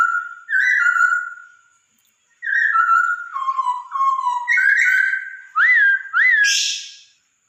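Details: Masked laughingthrush song used to prompt a caged bird into singing: long, pure whistled notes stepping down in pitch, followed by rising whistles and quick upslurred phrases ending in a brief harsh burst.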